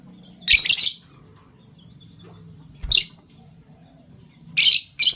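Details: Fischer's lovebirds, violet pied and gold opaline euwing, calling in the morning; harsh, buzzy high chirp bursts in three groups about two seconds apart over a low background hum.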